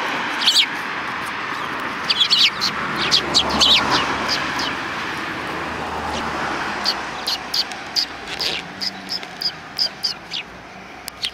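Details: Several sparrows on the front approach to a Tenmangu shrine, 12 December 2019, giving scattered short high chirps in loose bursts, with a soft hum of traffic and outdoor background noise.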